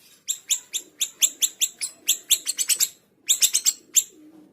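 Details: Small minivet, in energetic full song, delivers quick bursts of bright, piercing, high chirped notes, about four per second, broken by one short pause, then a thin low hum at the end.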